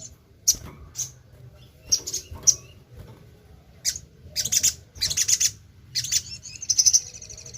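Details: Sogon (little spiderhunter) singing vigorously, used as a lure song: sharp, very high chirps at first spaced about half a second apart, then longer bursts of rapid, shrill chattering trills near the end.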